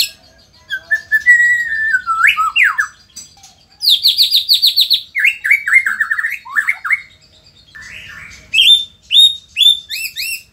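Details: White-rumped shama of Indonesia in varied song: a level whistle leading into rising sweeps, then a fast high chattering series, a cascade of descending slurred notes, and bright high rising chirps near the end.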